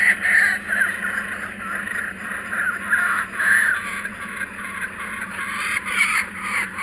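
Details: Kookaburras that are back, giving harsh rolling cackles that surge and fade in waves over a constant low hum.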